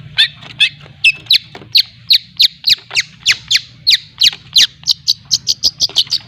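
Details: Young-learning long-tailed shrike from Lampung giving 'ngriwik' lure song: a steady series of sharp, squawking chips that quickens toward the end, about twenty notes in six seconds.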